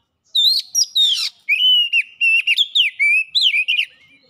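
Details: Oriental magpie-robin song from a lure meant to trigger singing and show learned phrases: harsh buzzy notes at the start, then a fluent series of mid-pitched whistles with quick up-and-down twists.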